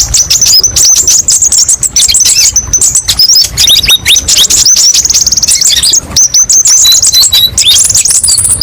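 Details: High, energetic kolibri ninja sunbird song with many variations: rapid trills, sharp whistled chips and downward slurs, rising to a thin, sustained twitter near the end.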